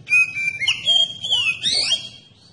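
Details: Oriental magpie-robin song used as a lure to provoke other magpie-robins to sing: a long steady high whistle, then rich rising and falling whistled phrases with sweeping slurred notes over a faint low hum.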